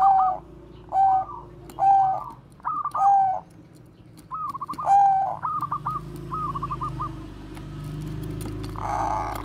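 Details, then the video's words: Zebra dove of the Bangkok type singing bekur 'koar-koar' as a lure for other doves: five quick clear coos roughly a second apart, then soft stuttering trills and a final muffled coo over low hum. "perkutut BANGKOK BEKUR KOAR-KOAR bagus untuk PANCINGAN PERKUTUT"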